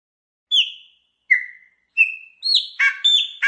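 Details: Song of a Chopi blackbird, meant to warm up a pet bird into singing: three separate clear descending whistles followed by rapid, full-toned warbled notes.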